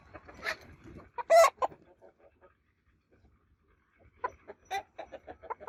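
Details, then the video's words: Rooster crowing, from a 2022 crowing competition: one loud, harsh crow rich in overtones lasting about half a second, with softer calls before it. After a quiet gap comes a run of short, clipped clucking notes. "Roosters Crowing Competition 2022 Roosters Crowing Sound Effect"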